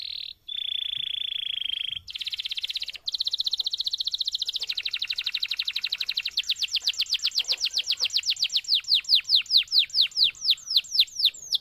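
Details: Canary pouring out a long, energetic training song for other canaries: a sustained whistled tone, then a fast buzzy roll that gradually slows into distinct, repeated downward-sweeping notes.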